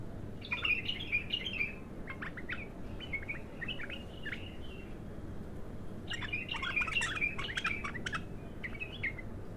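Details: Untrained bulbul in its first song: a burst of busy chattering warbles, then scattered single chirps, then another dense twittering phrase, over a low steady hum.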